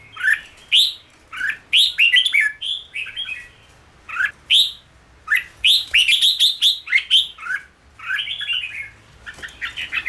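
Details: Red-whiskered bulbul in training for song produces a nearly continuous series of lively, liquid whistled phrases, quick up-and-down notes repeated in dense runs with brief gaps, loud and close throughout.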